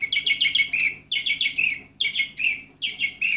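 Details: Orpheus canary, number 24 from 2014, produces harsh buzzy chattering phrases in quick bursts, with a faint low hum beneath.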